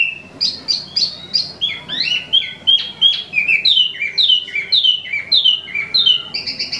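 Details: Imported Wambi mini (Tieu Mi) kept in a cage, singing continuously: bright, clipped whistles repeated quickly, shifting pitch from phrase to phrase, ending in a sustained high buzzy trill.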